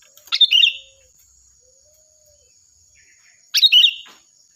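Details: Loud, shrill sooty-headed bulbul song meant as a tutor recording for other birds: two short bubbly phrases of tumbling notes about three seconds apart, with a constant thin high tone underneath.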